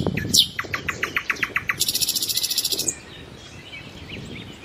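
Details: Common nightingale singing a sweeping high note, a steady series of repeated chips, then a long harsh buzzing trill, over low background rumble.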